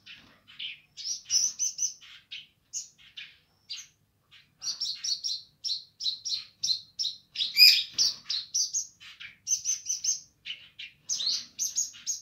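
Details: Streaked spiderhunter singing vigorously in the gacor nganar style: a long run of sharp, high chirps and short buzzy notes, closely spaced, with a louder dense burst near the middle and a quiet background.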